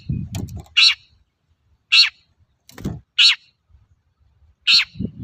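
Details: Long-tailed shrike serving as a lure to make untrained shrikes sing. Loud, harsh rasping notes come roughly once a second, with soft low thumps and rustles between them.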